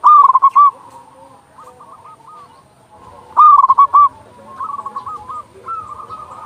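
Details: Loud local zebra dove, used as a master to lure doves and rouse them to sing: two strong bursts of quick, stuttering coos, each followed by softer rolling coo phrases from other doves.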